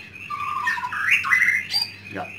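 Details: Brief burst of continuous warbling from a home-kept white-rumped shama in Indonesia: sliding whistles rising and dipping, then a sharp high note and a quick downward sweep.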